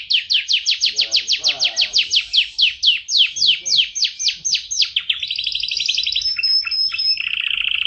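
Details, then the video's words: Canary delivering a long dense roll: a fast, even train of downslurred notes for about five seconds, followed by higher sustained whistles and a buzzy closing trill. "Kenari Rol Panjang Rapat"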